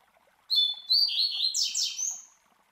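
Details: Double-collared Seedeater, a master bird singing the classic Tui Tui Zel Zel style, recorded as a tutor song to teach young birds. High clear whistled notes lead into descending buzzy, slurred phrases, all over about two seconds.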